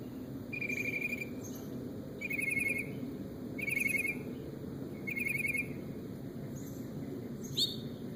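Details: A bird known for copying all kinds of noises repeats a buzzy, trilled note four times at roughly one-and-a-half-second intervals, then adds a rising whistle at the end.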